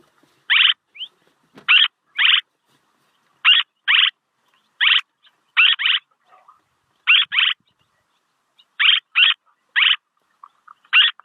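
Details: Swallow calls played for use as a decoy: short buzzy, raspy notes, often in quick pairs, repeated irregularly about every second, with brief gaps of silence and nothing else heard.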